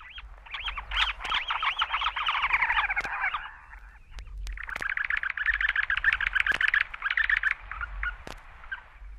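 Semipalmated Plover giving two long bursts of rapid, chattering notes, several a second and fairly high-pitched, over a faint low hum.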